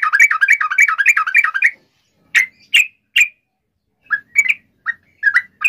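Yellow-vented bulbul singing: a fast bubbling run of liquid notes, then short separate gurgling phrases after a pause. No other sounds.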